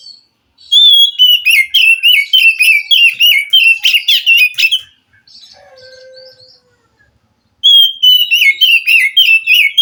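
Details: Wild white-rumped shama song used to stir a captive bird that is slow to sing: long loud bursts of fast rhythmic warbled notes, a quieter pause with a low hum, then the rapid phrases resume.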